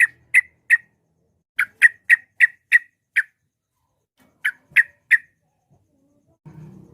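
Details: Yellow-vented bulbul, a bird in full voice meant to draw rivals into replying; clipped, abrupt chuck notes repeated in fast runs of three to six, then short silences, and a faint low rumble near the end.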